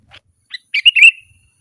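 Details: Sooty-headed bulbul song used to call wild birds: a few soft chirps, then a loud rolling, warbled phrase that fades into a brief trailing whistle.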